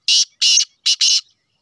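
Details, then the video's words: Black francolin, a Sheedi cross male: four loud, harsh, grating notes in quick rhythm, the last two close together, with silence between. "kale Sheedi Teetar ki Awaaz"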